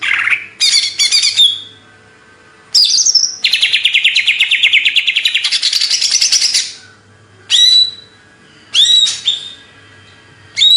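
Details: Banyuwangi greater green leafbird, Indonesia, in a hyper style. Chattering buzzy phrases lead into a long rattling run of fast repeated notes, then a few sharp, rising whistled notes after pauses.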